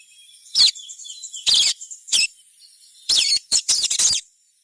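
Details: Crimson sunbird chirps played to coax other sunbirds into song: three spaced, loud, sharp high chirps, then a tight cluster of quick twittered notes, over a faint steady high hiss.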